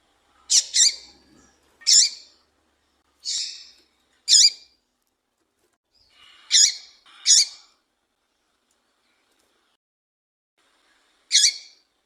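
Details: Female papa-capim, or Yellow-bellied Seedeater, calling to fire up males: seven brief, sharp, high-pitched chips at irregular intervals, some closely paired, then a long pause before a final chip.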